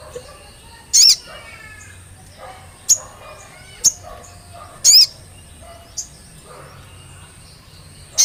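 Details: Olive-backed tailorbird lure meant to get a bird singing: loud, sharp high chips at uneven intervals over eight seconds, some bright and doubled, others brief clicks, with faint lower twittering from other birds underneath.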